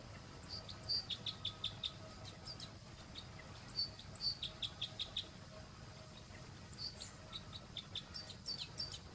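Red crossbill giving bursts of sharp, high chipping notes in quick runs, pausing between clusters, over a low steady background rumble.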